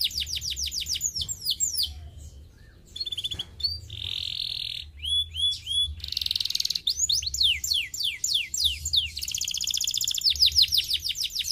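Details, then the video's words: Canary song used to encourage singing: bursts of rapid descending whistled sweeps alternate with sustained buzzy tones, short arching notes and dense rattling trills, with brief quiet gaps between phrases. "To practice the sound of the idler canary"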